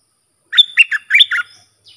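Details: Sooty-headed bulbul song used for training young hand-reared birds and luring wild birds: a short burst of five warbled, slurred notes in one phrase, with a thin high whistle threading through.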